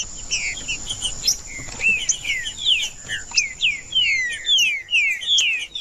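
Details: Green-winged saltator (trinca-ferro) song meant to warm up a cold bird: a fast run of clear whistled notes, many slurring downward, repeated more than once per second, with a constant thin high whine behind.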